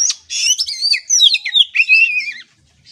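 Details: Oriental magpie-robin (kacer) song used to train a young bird: a rich, rapid phrase of varied high whistles, sliding up and down, lasting about two and a half seconds before falling silent.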